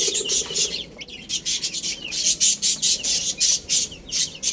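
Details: Baby chickens eating spinach, many chicks giving dense, high, thin peeps that overlap in rapid bursts, with short sharp clicks between them.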